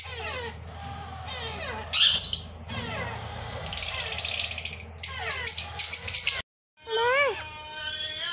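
African grey parrot chicks keep up a busy stream of squeaky, sliding chirps and harsh raspy bursts, then wavering whistled calls after a brief pause.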